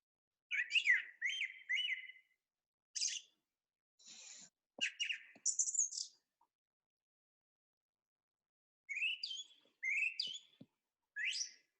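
A song thrush sings bright, varied phrases, each repeated two or three times in quick succession, with short pauses between bursts.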